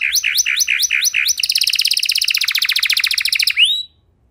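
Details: Canary with a long, specially varied song used to stimulate stuck canaries to sing; several looping downslurred whistles give way to a rapid high trill that ends in an upward slur, followed by silence.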